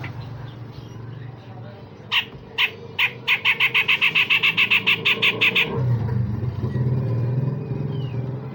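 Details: Grey-cheeked bulbul giving a rough, rasping burst: a few spaced harsh notes speed into a rapid chattering run of about fifteen buzzy notes, then stop, over low background hum.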